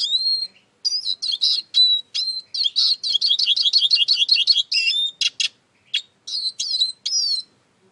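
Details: Eurasian siskin song: a fast, continuous run of high twittering and buzzy trilled notes mixed with rising whistles, lasting about eight seconds with brief pauses.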